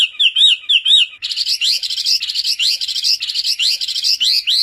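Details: Chinese hwamei singing varied song bursts, used for tutoring songbirds: a few looping whistled phrases give way to rapid, bright repeated upslurred notes in a dense, energetic stream.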